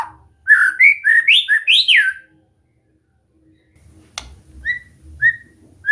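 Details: White-rumped shama being trained to sing prolifically: a two-second burst of loud, rich whistles swooping up and down, then silence, a sharp click and a few soft, spaced whistled notes.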